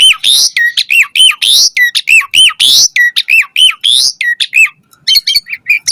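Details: Asian pied starling in energetic, varied song, used as a lure for captive starlings: loud looping whistles and sharp upward notes repeated in quick succession, breaking into faster, tangled chatter near the end.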